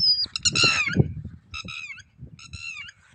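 Red-wattled lapwing giving loud, harsh, strident notes in three bursts over three seconds, each a stack of sharp, slightly falling squawks.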